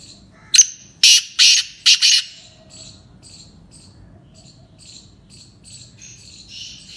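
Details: Sindhi kala tetar, a black francolin, calling one loud rasping phrase of four harsh, grating notes, a short one then longer ones, in quick succession. Soft high chirps from other small birds follow through the rest of the recording.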